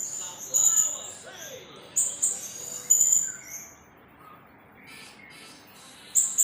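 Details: Blue-crowned hanging parrot (srindit) delivering 'nembak' song: several short, very high, shrill bursts spaced irregularly, with a quieter gap in the middle and faint background murmur.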